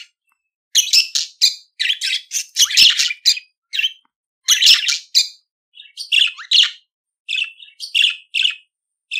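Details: Pet budgerigar warbling: nearly continuous sequence of raspy chirps, buzzy squeaks and short chatters, grouped in bursts with brief gaps, harsh and high-pitched throughout.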